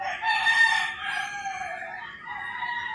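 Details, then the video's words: Rooster crowing in the early morning in rural Philippines, a single harmonic, drawn-out crow in the first second, then softer trailing calls, with other birds singing faintly behind. "Crowing Roosters and Singing Birds"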